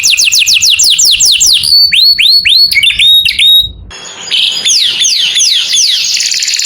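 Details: Canary in morning song: a run of quick descending slurred whistles, then upswept looping notes, a short hush, then fast descending notes and a buzzy trill.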